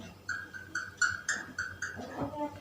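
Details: Indian ringneck parakeet talking after a person says "mama": a run of short, clipped syllables repeated about every quarter second, followed by a softer mumbled sound.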